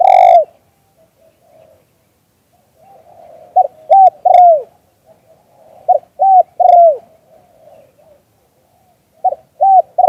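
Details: Spotted dove giving its lûu-tan coo, recorded live in Full HD: a long opening coo, then clusters of two or three short, clipped, mellow coos repeated in bursts, with soft low murmuring between phrases.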